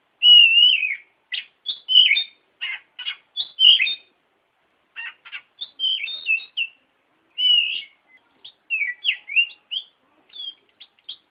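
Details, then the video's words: Training song of the oriental magpie-robin, known locally as kacer: a long sequence of whistled phrases broken by harsh buzzy notes and sharp chips, delivered in bursts with short pauses between them. "Masteran Burung Kacer Di Jamin Top Cerr"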